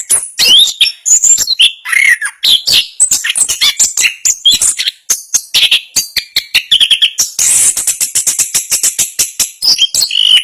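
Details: Long rapid 'ngerol speed rapat' song from a national champion Orange-headed thrush: varied chattering, whistles and squeaks in continuous flow, turning late into a fast, even run of sharp repeated high notes.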